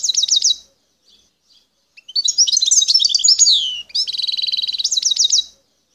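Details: Wild Algerian European goldfinch singing from the El Tarf area: bright, rapid trilled phrases high in pitch, a fast rolling series, then a jumbled twittering passage and a buzzy repeated trill, with short silent gaps between bursts.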